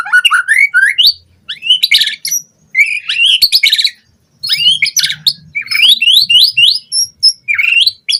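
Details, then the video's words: White-rumped shama singing on a lure recording for training captive birds: energetic bursts of rising whistles, harsh buzzy notes and quick chirping runs, repeated in phrases about a second long with short silent gaps. "Pancingan Murai Batu Cepat BONGKAR ISIAN Buat Masteran Suara Burung Murai Agar Gacor Full Isian"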